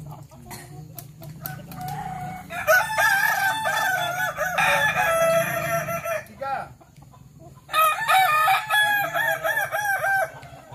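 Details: Kukuak Balenggek roosters crowing in a practice contest at Sawah Lunto: two long crows, each a rapid series of rolling arched syllables lasting three to four seconds, separated by a pause with low hum and clicks.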